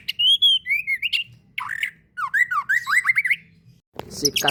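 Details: Murai batu (white-rumped shama) fighter song for masteran: a high pure whistle, slurred descending notes, then quick rising whistled flourishes, ending with a brief harsh rattling burst.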